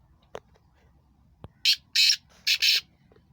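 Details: Two black francolins calling: four loud, harsh, grating notes in quick succession over about a second, preceded by a few faint clicks.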